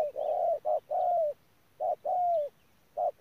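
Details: Decoy spotted dove from Đức Cơ giving its cooing phrase twice: a short coo, then a longer drawn-out coo that falls gently at the end, with clear silent gaps between phrases.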